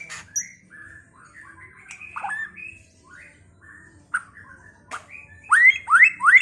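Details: White-rumped shama in Pekalongan sings to goad other shamas into fighting and singing: soft, varied short whistles and chips, then three loud rising whistles close together at the end.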